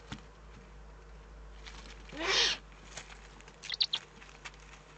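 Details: Eurasian eagle-owl in the German Eifel on 3 May 2014: one rasping hiss near the middle, followed by a few faint high clicks and scratches over a low background hum.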